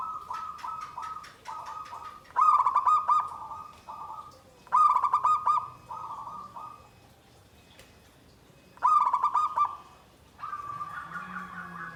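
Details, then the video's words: Zebra dove singing 'nggandem guaring' style: repeated bursts of rapid stuttering coo notes, each followed by smoother held coos, phrases spaced two to four seconds apart in a quiet setting. "SUARA PERKUTUT GENDOWO SABDO || NGGANDEM GUARING"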